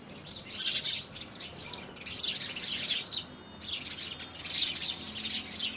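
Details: House sparrows fighting over a nest box in the first week of February 2017 chatter in dense bursts of bright, high, overlapping chirps; a short lull midway, then the squabbling resumes.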